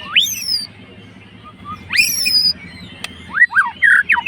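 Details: White-rumped shama, a fighter bird stirring a rival, gives two loud upward-sweeping whistles a couple of seconds apart, then a quick cluster of rich, varied notes, over a low steady hum.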